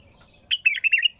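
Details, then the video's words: Bulbul singing a brief burst of warbled, chattering notes around the middle pitch range, the phrase lasting about half a second before quiet returns. "تغريد بلبل طور بدون توقف"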